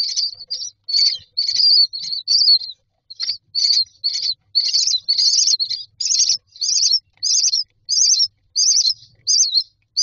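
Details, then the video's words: Myna chicks in a nest box beg for food with a rapid, continuous series of harsh, rasping high-pitched calls, several each second. "Babies bird asking for food"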